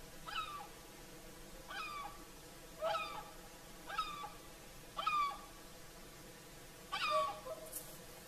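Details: Whooper swans singing in the evening at sunset on the shore of Lake Saimaa, Finland: a series of bugling, harmonic-rich calls with downward-bending notes, about one every one to two seconds, over a quiet background.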